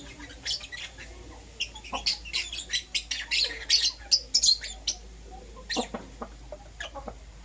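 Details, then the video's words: Lovebirds, a green Personata and a yellow pastel pied, chirping in the morning: a rapid run of sharp, high chirps, some harsh, bunching into a dense burst midway, then scattered single notes after a short pause. "Lovebird Chirping Sounds"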